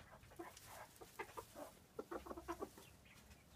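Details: Two frizzled Pekin bantams, porcelain red and blue, five and a half months old; a quick run of short harmonic clucks, several in a row near the end, over a low rumble.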